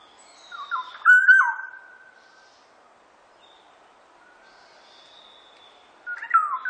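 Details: Fluty Black-naped oriole song, recorded in 2020 for the National Institute of Biological Resources: a rich whistled phrase with a long held note, a quiet pause, then the next mellow phrase starting near the end.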